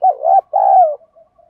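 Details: Spotted dove delivering one 'thúc' fighting coo meant to excite wild doves: a wavering low opening note running into a drawn-out, gently falling second note, then faint murmuring tones.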